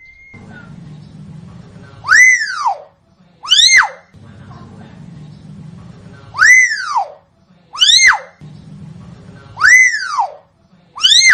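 Hill myna giving loud, ringing, arched whistles that swoop up then fall, usually in pairs about every four seconds, over a low steady indoor hum.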